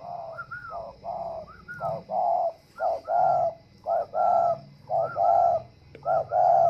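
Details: Captive spotted dove in a bird garden at Ba Vì, Hanoi, still cooing strongly while moulting: loud, full coo phrases, each opening with a higher rising note and then a deep rolling coo, repeated almost once a second.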